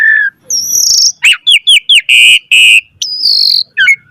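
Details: Asian pied starling singing full-variety song for training other birds: a low whistle, then a long high drawn-out note, a string of four quick downslurred chirps, two harsh buzzy blasts and a final high sustained whistle.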